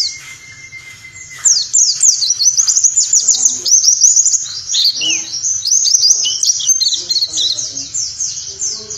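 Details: Morning tutor song of a warbling white-eye, 'nembak' style: after a brief thin steady whistle, a long torrent of very high, rapid, jumbled twittering notes pours out without pause.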